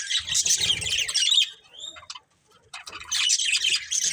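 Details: Budgerigars, a breeding pair, give a burst of gritty warbling chatter, then a clear rising whistle and a short quiet gap before the scratchy twittering resumes; light rustling underneath.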